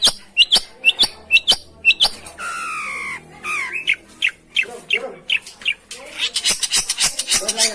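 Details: Long-tailed shrike sound meant to make a reluctant shrike sing: quick sharp chips, then a drawn-out wavering whistle, followed by mixed buzzy notes and a fast chattering run toward the end.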